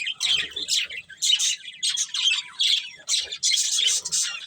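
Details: Budgerigar breeding pair chirping: dense, scratchy high warbling in rapid bursts roughly every half second, with squawky chatter and brief pauses.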